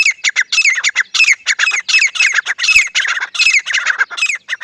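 Grey francolin giving a loud, harsh, shrill chatter of rapid squawking notes, run together almost without pause and high-pitched throughout.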